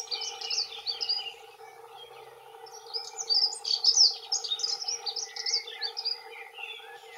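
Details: Territorial song from two male dunnocks, fast twittering warbled phrases in two bursts separated by a quieter gap, with a constant low hum underneath.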